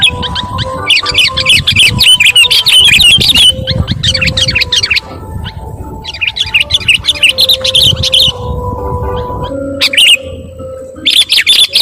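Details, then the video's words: Sooty-headed bulbul giving loud, noisy calls: bursts of rapid, high, chattering chirps in clusters of one to two seconds, separated by short gaps, over continuous music with steady low tones. "SUARA KUTILANG RIBUT..bikin burung lain emosii"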